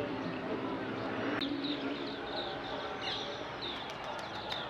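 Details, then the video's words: Early-morning birds at sunrise, captured from a terrace with a Nikon D5300: quick runs of thin, high chirps in two bursts, over a constant background rumble. "Bird sounds"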